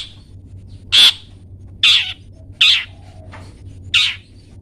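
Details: Long-tailed shrike giving four loud, harsh, scratchy calls at uneven intervals of about a second. The bird is a captive model for training pet songbirds. A faint low hum runs underneath.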